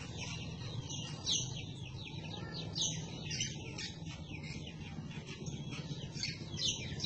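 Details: Greater green leafbird (cucak kombo) in full, scolding 'ngomel' chatter song, recorded as a master song to tutor other birds: rapid, dense high chirps and short whistled notes run continuously, over a steady low hum.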